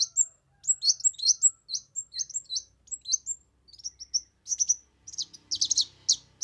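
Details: Energetic kemade singing, offered as tutor material for other cage birds and as a lure. Dense, high twittering phrases of short, sharp, chirping notes come in quick bursts with tiny pauses. The notes turn scratchier and more crowded near the end.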